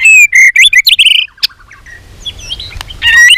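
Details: Contest-trained white-rumped shama (chòe lửa) giving a burst of loud, clear whistled notes with rising and falling slurs, then fainter chirps and a final strong whistle.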